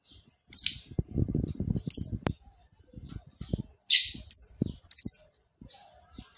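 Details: Lovebird calling: several short, harsh high chirps in bursts, with low thumps and knocking noises between them.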